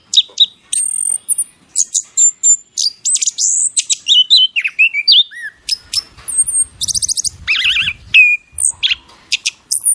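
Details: Bird in a masteran training song, pouring out a continuous medley of sharp chirps, wavering whistles and rapid buzzy runs at high pitch for ten seconds.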